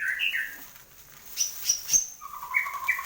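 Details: White-rumped shama kept in a cage, recorded after moulting: a short whistled phrase at the start, then a few faint high ticks, then a string of repeated low-and-high whistled notes.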